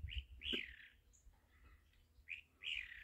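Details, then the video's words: Chalk-browed mockingbird on a farm, singing while jumping; short, clear, slurred whistled notes in two brief bursts separated by a pause, over low rumbling background noise. "sabia do campo cantando de pulo"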